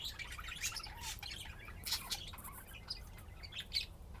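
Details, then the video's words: Pet budgerigars playing, giving a continuous busy stream of scratchy chirps and short squawky notes, with faint low background rumble. "طيور الحب لعب وزقزقة"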